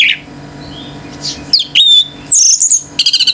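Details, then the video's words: Male orange-headed thrush in 'gacor teler' singing that stirs up other birds: sharp whistled slurs and a long high wavering whistle, ending in a quick stuttering trill. "ANIS MERAH GACOR TELER‼️BURUNG LAIN IKUT NGAMUK‼️"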